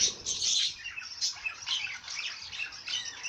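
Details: Bird song in a busy chorus of high, scratchy chirps and twittering notes that overlap without pause, rising and falling in short bursts.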